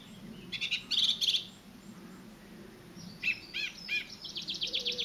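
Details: Song thrush singing in the Avenue at WWT Caerlaverock: a burst of three sharp repeated notes, then clear ringing notes and a rapid chattering run, bright and high-pitched, over a faint low rumble.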